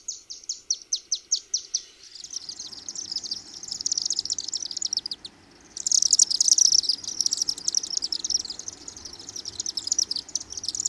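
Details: Chimney Swifts flying over downtown Osakis, Minnesota, in June: a quick string of sharp high chips, then long, dense twittering chatter over a steady low background rumble.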